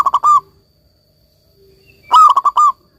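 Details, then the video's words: Zebra dove of a local strain singing to motivate silent doves: the tail of one cooing phrase, then a pause and a full phrase of five quick coo pulses ending in a longer note. "perkutut lokal gacor ini cocok buat terapi perkutut kalian yang lagi macet bunyi agar kembali gacor"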